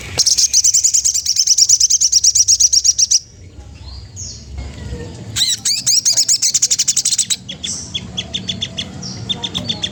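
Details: Oriental magpie-robin singing to provoke a rival: rapid bursts of high, sharp repeated notes, a pause with faint background, then chattering trills and clear whistled phrases resuming.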